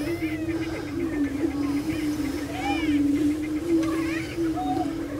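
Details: Prairie chickens gathered on a lek at the Bluestem Prairie Preserve near Glyndon, Minnesota: a steady low droning hum from many birds underlies scattered higher cackles and rising-falling whoops.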